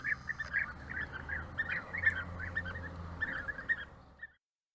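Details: Bee-eaters at a courtship gift offering give a steady stream of burry, rolling trilled calls, several birds overlapping, before the sound cuts off abruptly; low background rumble beneath.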